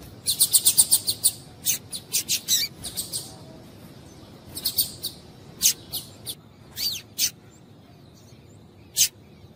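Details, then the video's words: Female Double-collared seedeater calls meant to get a male singing: a quick run of high, piercing chirps at first, then looser spaced single chirps, one sweeping slightly, against a quiet background hum. "Piado de Fêmea de Coleiro para Esquentar Coleiro"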